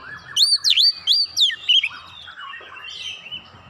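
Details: Song of an Oriental magpie-robin, played to provoke rival birds: a quick string of loud, looping whistled notes, then fading into softer, lower warbling.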